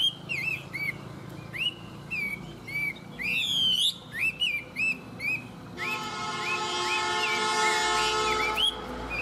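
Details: Tame, well-singing Chinese hwamei giving looping whistled phrases and a rapid burst of rising notes. Midway a steady harmonic buzz or drone overlays the song while the bird keeps whistling short arched notes beneath it.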